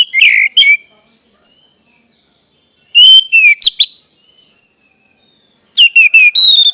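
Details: Orange-headed thrush song used as a lure for caged birds: three bursts of whistled, sliding notes with buzzy accents, over a constant high insect-like hiss throughout.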